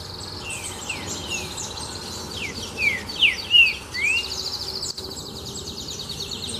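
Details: Green-winged saltator singing in the song style called "Sou Terrível": a short series of loud, clear whistled notes, each sliding sharply down, bunched near the end, over faint high chirping and a steady low background hiss.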